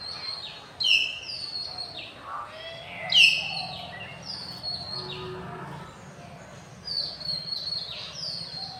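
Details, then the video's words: Common hill mynas among campus birds in afternoon light, 6 February 2024: two loud piercing whistled notes about two seconds apart, set in a busy chorus of downslurred whistles and chirps. "common hill mynahs in afternoon light"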